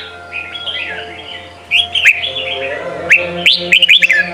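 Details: Red-whiskered bulbul training song in the Sông kon style for young birds. Soft, blurred warbling at first, then a sharp upswept chirp and a rapid cluster of bright notes near the end, over a low steady hum.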